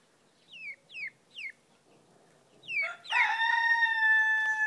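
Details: A male frizzled Pekin bantam rooster, blue mottled with white, gives three short falling squeaks, then a bright, sustained crow that holds steady for nearly two seconds.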